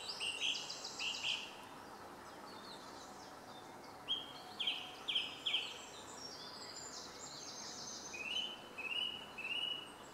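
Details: Song thrush singing: bright, high phrases each repeated two or three times in quick succession, pausing between groups, over a steady low background hiss.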